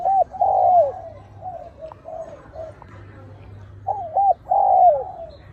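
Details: Fighting spotted dove males, wild birds, calling against a steady low hum and background noise: a rising-falling coo, softer broken notes, then a loud double note and a long falling coo.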